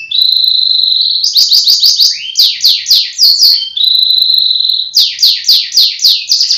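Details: Caged canary kept in Pemalang, Central Java, Indonesia, singing loudly: a long steady high whistled trill, then a run of rapid descending sweeping notes, another sustained trill, and more fast falling sweeps, in clean quiet surroundings.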